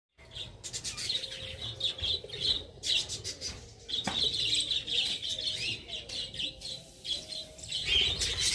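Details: Captive budgerigar colony eating mixed soft food and vegetables, giving a continuous busy chatter of many overlapping scratchy warbles and chirps, with occasional wing flutters and clicks.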